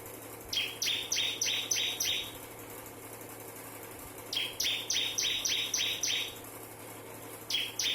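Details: Bar-winged prinia, a crystal-type bird singing in the nembak style, a unique song: short bursts of six or seven sharp two-tone notes dropping from high to lower pitch, each burst repeated after a pause, over a low steady hum.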